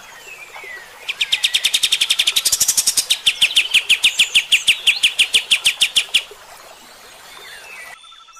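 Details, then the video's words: Long rapid 'tembak' volley by a White-shouldered Triller, kept as master song for training other birds: some forty sharp high chips over five seconds, steady and quick, fading into faint background. "suara KAPAS TEMBAK ini Cocok buat masteran MB bahan anda & 100% AKAN NEMBAK JUGA"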